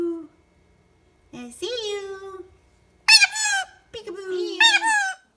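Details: Pet talking parrot playing peekaboo, ducking and hiding before popping out; mimicked speech-like phrases in a high nasal voice, three drawn-out utterances with pauses between, indoors.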